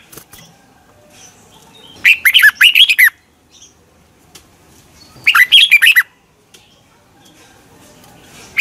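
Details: Caged red-whiskered bulbul in morning singing practice, a lure song meant to stir other birds to sing; two loud phrases of quick, bubbly, slurred whistles about three seconds apart with near silence between.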